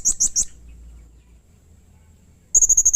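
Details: Blue-crowned hanging parrot in full, agitated, harsh calling meant to provoke other hanging parrots into calling back: three shrill, very high notes, a pause of near silence, then a rapid run of six similar piercing notes.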